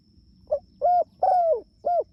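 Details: Spotted dove calling its companions: four soft, hollow coos in quick succession, short first note then longer mellow ones, the third drawn out and sliding downward, against a faint steady high whine and low rumble.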